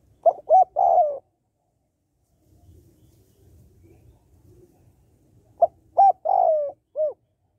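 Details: Female spotted dove calling to stimulate males, used to train and excite males: two coo phrases, each with two short notes, a long drawn coo falling in pitch, and a short final note, separated by quiet with faint low rumble.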